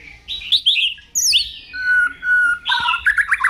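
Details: White-rumped shama singing loudly in the morning: a rapid, varied run of sharp rising and falling whistles, a long steady fluty note held for about a second, then quick bright twittering phrases.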